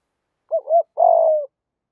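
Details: Spotted dove coo from a recording of male and female birds used to stimulate training doves: a quick pair of bouncing hollow notes followed by one longer, slightly falling purred coo, otherwise silent.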